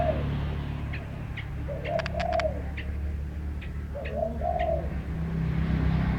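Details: Bird singing, heard as two soft, hollow cooing phrases, each a low rising-then-falling coo, with faint short high chirps between them over a steady low background hum.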